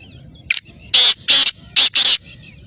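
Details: Black francolin giving its loud, rasping call: one short note, then four harsh, grating notes in two close pairs, with faint chirps of other birds behind.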